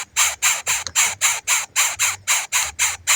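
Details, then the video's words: Rapid rasping pleas from a hungry baby bird wanting its parent, about four harsh, scratchy bursts each second in a quick, even series, noisy and hiss-like throughout. "The hungry baby bird keeps calling for its parent."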